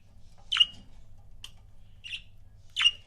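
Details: Pet budgerigar couple chirping: three short, sharp chirps spaced about a second apart, each a bright burst with a downward sweep, plus a tiny click between them, over a faint low hum.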